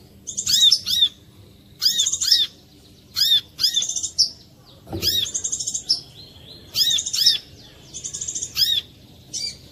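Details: Brown-throated sunbird (korlap) lure song, played to prompt other korlap, including reluctant singers, to sing; high sharp arched chirps alternate with rapid buzzy trilled bursts, in phrases about every second, over faint low background hum.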